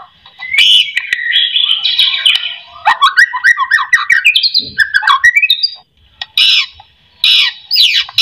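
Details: Song of a white-rumped shama, used to prompt other shamas to sing: rich rapid warbling with chattering and squeaky notes, several loud varied phrases separated by short pauses, clean background.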